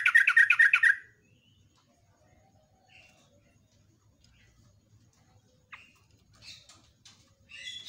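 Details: Yellow-vented bulbul, recorded in the morning, giving a long rolling 'ropel' song used as a lure to attract birds: one loud, bubbly, richly warbled burst in the first second, then near silence with scattered short chirps and a brief phrase at the end.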